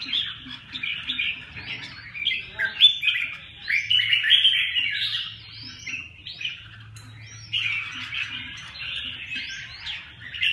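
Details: Lively red-whiskered bulbul song over ten seconds, a string of chirpy, fluty whistled phrases with sharp upward slurs, separated by brief gaps, over a soft low background hum.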